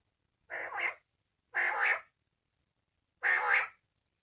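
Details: Uncaged common quail calling, 2020: three rough, buzzy two-part bursts, the first two a second apart and the third after a longer pause, each about half a second, with a quiet background.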